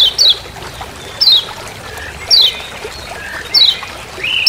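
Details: Forest "ciak ciak" calls of a Lemon-bellied white-eye from Lombok, meant as master sound: four thin downward-sweeping chirps spaced about a second apart, plus a short lower whistle near the end.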